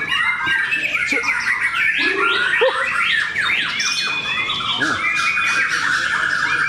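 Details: White-rumped shama singing in a song contest at Bharata, Cikeas: a dense, loud stream of varied whistles, fast rising and falling slurs and harsh squawky notes that overlap continuously, as if several birds sing at once.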